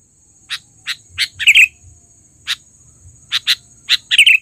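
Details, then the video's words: Loud lure calling from a trained sooty-headed bulbul, with separate sharp chirps that quicken into short bubbly swooping phrases, repeated twice, over a faint continuous high whine and soft rumble. "suara pikat burung KUTILANG GACOR...Terlatih dan panggilan keras!!"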